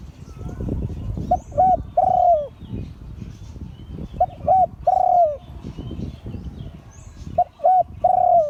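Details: Spotted dove of auspicious line crowing in the Liu Tan style, three phrases about three seconds apart, each two brief coos followed by a long falling note, against steady low rumbling noise.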